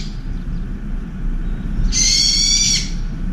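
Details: Brown-eared bulbul at a window feeder during a shouting attack on a turtle dove: one harsh, strained screech of nearly a second after a brief faint note, over low background rumble.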